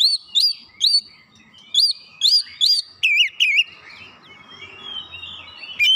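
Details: Oriental magpie-robin song used to get a lazy bird singing: clear whistled notes with upward swoops, repeated roughly twice a second, then softer scratchy warbling.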